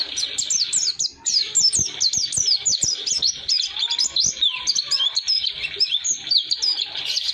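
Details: Oriental white-eye singing in the long rolling style, a fast continuous stream of high, sharp, sweeping whistled notes with little pause, used for training other songbirds.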